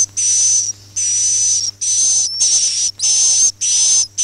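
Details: Swiftlet calling and roosting sounds used to lure swiftlets into a bird house: harsh, buzzy, high-pitched chirrs about half a second long, repeated in a steady rapid series of roughly two per second.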